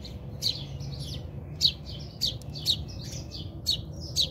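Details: House sparrows fighting in a backyard in South Africa: sharp, bright chirps repeated roughly once a second, each a short burst with a downward flick, over steady low background hum.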